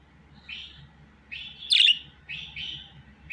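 A budgerigar chatters in short, scratchy chirped phrases about once a second, with one louder, sharper squeak near the middle and a soft hum behind.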